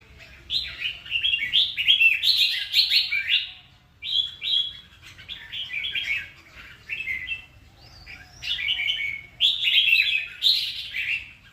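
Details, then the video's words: Red-whiskered bulbul singing a series of warbled, chirpy phrases with lilting rises and falls, about three notes a second, broken by short pauses over eleven seconds. Faint low background noise is also heard. "CHÀO MÀO HÓT"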